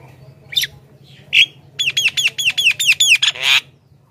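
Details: Javan myna singing vigorously for luring wild mynas: two separate squawks, then a quick series of about ten repeated sharp, downslurred notes ending in a rasping burst.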